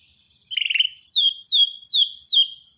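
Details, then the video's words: A Borneo white-rumped shama's training song, used daily to restart silent shamas: a brief buzzy rattle, then four clear high downslurred whistles repeated about every half second. "borneo dokter burung murai mandek (Masteran harian)"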